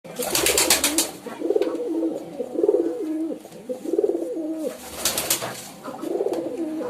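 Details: Pigeons cooing in a steady series of low, rolling, wavering coos, several per few seconds, with bursts of sharp broadband rustling or wing-flapping noise near the start and again near the end.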